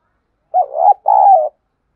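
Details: Spotted dove decoy recording used to stir wild birds into cooing: two clear, mellow, slightly quavering coo notes in quick succession, the second longer and falling at its end, with no other sound.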